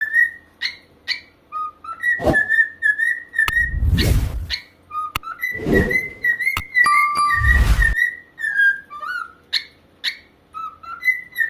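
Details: Corella singing indoors: a run of clear whistled notes that slide gently downward, mixed with lower short whistles and sharp harsh bursts, with two loud broadband noises around the middle.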